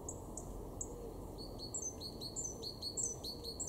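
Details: Garden great tit in Weener, East Frisia, far northwest Germany, March 2023, giving bright, high two-part notes in quick succession: thin upper whistles, then paired phrases stepping down, about one and a half per second, with faint low background hum.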